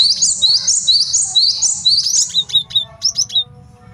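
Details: Male great tit, recorded as a master song for training and luring birds, pouring out a dense rapid chain of high bright notes that slows into separate sharp whistled pairs.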